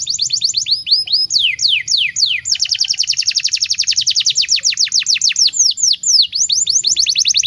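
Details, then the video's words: Canary song for teaching young birds: several slow falling sweeps open into a long, very fast trill of sharp downslurred notes, with a few broader swoops near the end. "SUARA BURUNG KENARI PANCINGAN MASTERAN PAUD BIAR GACOR PANJANG"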